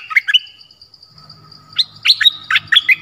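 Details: Dok Taeng decoy bird in the forest, 13 January 2021, giving mate-calling chirps. Two quick high notes, a quiet gap with a faint low rumble, then an irregular burst of five or six bright chirps. A thin, steady drone runs throughout.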